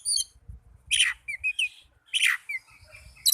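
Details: Caged-bird stimulation recording of Oriental magpie-robin song: harsh, sweeping downward notes alternating with short clear whistles, two loud rasping bursts about a second apart, a faint low rumble in the background.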